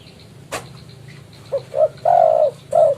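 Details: Actively calling spotted dove challenging a rival, used for lure trapping: a sharp knock, then two short low coos, a long sustained coo and one more brief coo, repeated in a quick cooing phrase over steady hum.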